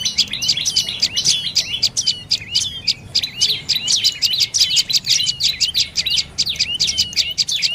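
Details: Dark-necked tailorbird delivering a dense stream of piercing, high-pitched chirps with quick down-sweeping flicks, several notes each second, steady throughout; faint low rumble underneath.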